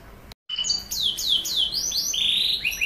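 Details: Canary song played to prompt young canaries to sing: after a brief silence, a run of loud, clear descending whistled sweeps, each dropping sharply, then higher rising-falling slurred notes in quick succession.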